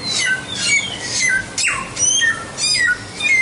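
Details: Loud whistled song of a white-rumped shama, with pure held notes, one steep falling sweep and sharp high chips between phrases.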